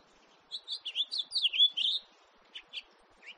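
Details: House finch in a 2018 recording delivering a short burst of squeaky, slurred high notes, followed by three separate sharp chirps.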